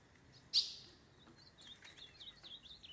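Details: Wild ultramarine grosbeak, a fiery blue male, free in the forest while mounting a female. A sharp click, then a faint, quick warble of high, slurred whistled notes rising and falling over about a second and a half against quiet background hiss.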